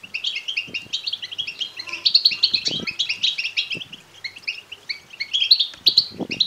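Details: Goldfinch chicks begging, European goldfinch: rapid, high, squeaky chirps overlapping continuously, rising in intensity around the middle and near the end, with occasional soft knocks.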